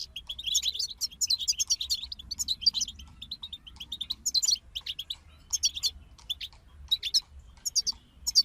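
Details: European goldfinches in a group pour out quick twittering and tinkling notes in short, repeated bursts, with brief quiet gaps between phrases.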